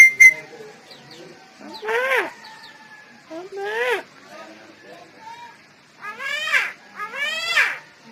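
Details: Javan myna mimicking the word "Bapak", giving four harmonic, voice-like syllables in two pairs, each sweeping up and then down, separated by quiet gaps with faint background chatter.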